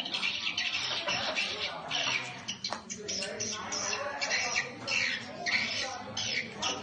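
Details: Swiftlets at a nest house built only seven days earlier in Tuy Phước, Bình Định, Vietnam, drawn in by sound: dense high chattering twitters and chirps, with a faint man's voice underneath.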